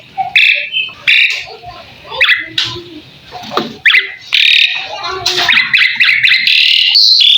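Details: Asian pied starling master song used to set other birds singing: scratchy squawks and broken chatter, then a long run of rapid buzzy chirps and harsh warbling.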